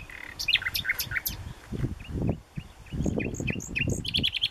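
A common nightingale sings varied high whistles and chirps, then a fast run of repeated notes, over a low rumble of wind or distant traffic.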